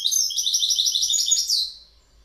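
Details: Lively goldfinch twittering: evenly spaced, quick chirpy notes with a metallic sparkle, closing on a sweeping note, then fading into quiet.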